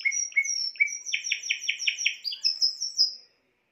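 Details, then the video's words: Spanish timbrado canary giving clear whistled notes, then a rhythmic run of about five pulsed notes per second, ending with high repeated notes before silence. "chant des oiseaux timbrado espagnol"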